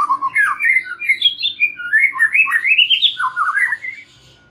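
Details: White-rumped shama song played as a lure for young and wild-caught birds to make them sing freely; a continuous stream of fluid, sliding whistles and chattering notes, rising and falling rapidly, fading at the end.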